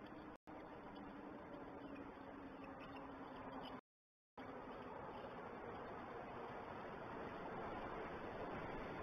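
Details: Quiet, even hiss with two brief dropouts to silence and a faint low hum, with no clear animal call.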